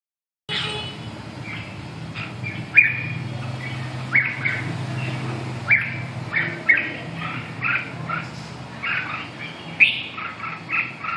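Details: Red-whiskered bulbul giving short bright warbled phrases and sharp clicks, spaced every second or two over a steady low hum.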